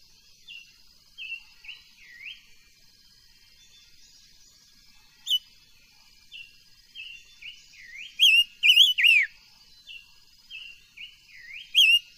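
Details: Silver-eared mesia kept as an ornamental bird, singing for voice training: short whistled notes, each dipping then rising, spaced through the clip, with a louder cluster of three bright slurred notes near the end over a steady high hiss.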